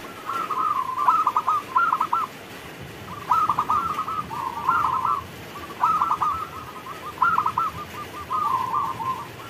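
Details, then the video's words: Zebra dove of a local strain singing steadily while rain comes down: about five stuttering coo phrases, each a quick cluster of notes ending in a soft trill, over continuous background hiss. "Perkutut lokal gacor Saat Turun Hujan"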